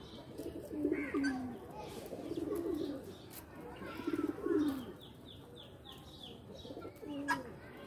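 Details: Pigeons playing in a loft give low, throaty coos in short rolling phrases, several birds overlapping, with a brief higher chirp near the end.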